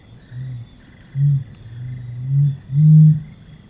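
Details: Deep, low humming series from a Helmeted Curassow, vocal in the breeding season: four or five booming notes that grow louder toward the end, the last one strongest and longest, over a steady insect drone and faint chirping.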